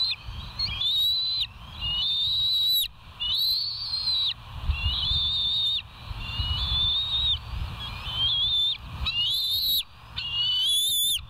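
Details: A bald eagle filmed by live cam at West End on 08/04/2023 gives a steady run of drawn-out, shrill whistled squeals, about eight in eleven seconds, each ending abruptly, with a faint low hum underneath.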